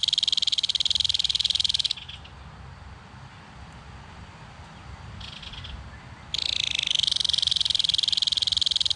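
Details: A Belted Kingfisher adult, feeding its chick at a nest in a mud bank, gives a loud, dry, machine-gun rattle in two long bursts with low background rumble between; adult and chick call to each other.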